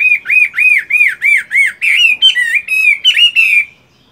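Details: Fighting-type Chinese hwamei in a cage, morning voice practice during moult: six evenly spaced arched whistles about three per second, then a denser flourish of slurred, buzzy whistles before falling silent.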